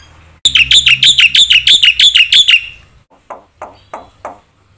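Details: Black-winged myna in gacor song with full isian, meant to stir rival mynas: a two-second burst of loud, sharp chirps, then several soft, dry clicking notes.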